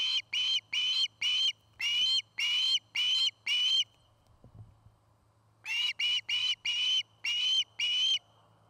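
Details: Osprey calling from a nest in Charlo, Montana, where a pair is nest-building, caught by a nest cam: two series of loud, sharp whistled chirps, about eight notes each, separated by a brief quiet pause.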